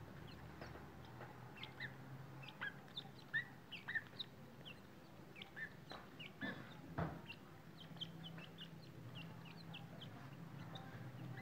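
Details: Grey francolin chicks: many short, high peeps and chirps scattered irregularly, some in quick pairs, a few louder notes near the middle, over a steady low rumble with occasional thumps.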